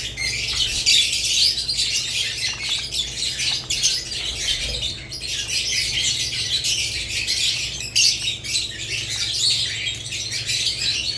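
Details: Budgerigars, with lovebirds also named, in a dense, continuous chorus of high, scratchy chirps and squawks from many birds at once, with brief louder bursts near one and eight seconds.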